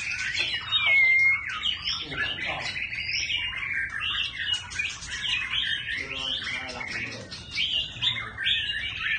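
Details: White-rumped shama in busy continuous song, a chattering stream of quick varied notes and short whistles changing voice constantly, with barely any break.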